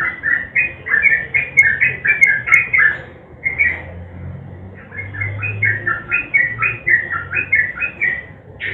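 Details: Sooty-headed bulbul song in the lively nguklik style, used as a lure to get silent birds singing: bubbly, fluttering phrases of short warbled notes repeated almost without pause, with a faint low hum underneath.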